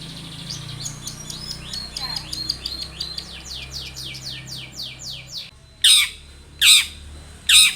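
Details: Long-tailed shrike song used as a lure: a quick string of thin downslurred whistles over steady background hiss, followed by three loud harsh rasping bursts about a second apart.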